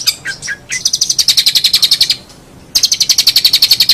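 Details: Long-tailed shrike in full, lively song: a few high sharp chirps, then fast runs of rapid, evenly pulsed high trilled notes, broken by a brief pause before the trill resumes.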